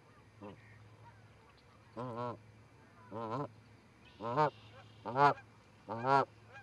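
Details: Two Canada geese visiting an osprey nest in Charlo, Montana, on 4-7-18, heard through a live nest camera: six harmonic honks, spaced irregularly and growing louder, over a steady low hum.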